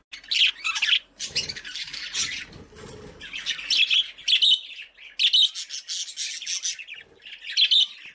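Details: Several budgies breeding as a colony: continuous busy chirping and warbled chatter from many birds at once, some rustling underneath.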